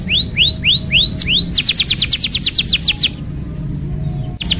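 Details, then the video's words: Canary song to encourage a non-singing bird: several rising upslurred whistles, then a rapid run of falling notes, followed by a quieter pause and one final note. "TERAPI PANCINGAN KENARI MACET | CANARY SINGING"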